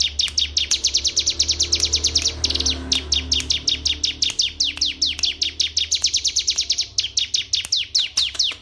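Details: FSL canary from Wonosobo, Indonesia, singing: a very rapid train of sharp, high descending chirps, then slightly spaced repeated downslurred notes, over a steady low hum.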